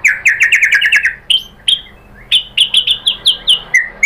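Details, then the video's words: White-rumped shama song used as a lure to provoke other shamas into singing: a rapid string of bright chirping notes, a pause, sharp upslurred whistles, then a steady run of repeated clear notes. "pancingan AMPUH ‼️ MURAI BATU manapun jadi NYAUT ikut GACOR"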